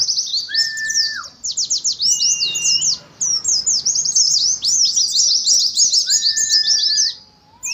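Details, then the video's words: Oriental white-eye singing ngalas: dense, high, rattling twitter phrases. Several lower, drawn-out whistles that bend at their ends sound between bursts. A short silence comes near the close. "TERAPI ADU NGALAS SAAT KOLONI PLECI"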